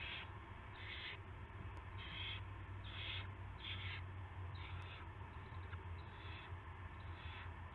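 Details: Owl at its nest before dawn on 9 March 2016, around 5:20 AM, as a rat is brought in; harsh, breathy hissing bursts about half a second long, repeated roughly every second over a steady low hum.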